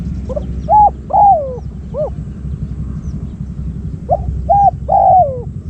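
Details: Decoy spotted dove luring wild doves. Scattered hooked coos and two fuller phrases, a short note into a long falling one, separated by pauses over quiet background murmur.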